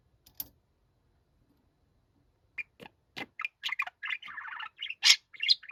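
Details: Noisy pet budgerigar giving loud, angry-sounding calls: near-silence for about two seconds, then a fast run of short, buzzy, warbled chirps and squawks, rising to harsh louder notes near the end.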